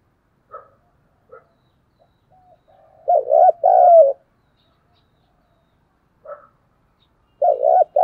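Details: Spotted dove acting as a lure bird, calling to excite wild doves. Soft single notes come first, then two loud, rolling coo phrases, one in the middle and one at the end.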